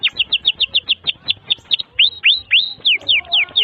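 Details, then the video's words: Canary song meant as a tutor for young birds: evenly spaced sharp chirps, then longer rising and falling sweeping whistles, loud and clear. "Kenari GACOR PANJANG INI Cocok untuk Masteran KENARI PAUD dan Kenari Macet BUNYI"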